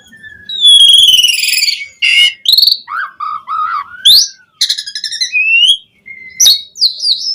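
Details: Asian pied starling in full, rich song used as a lure to get other starlings singing; varied phrases of buzzy rasps, clear whistles and a long descending slur, with harsh churring notes between, loud and close.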